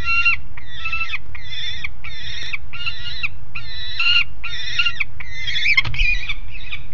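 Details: A noisy juvenile peregrine falcon on the grating at Alphen aan de Rijn, 30 July 2016 at 12:30, gives about ten harsh, grating notes roughly every two-thirds of a second, over a constant low wind rumble.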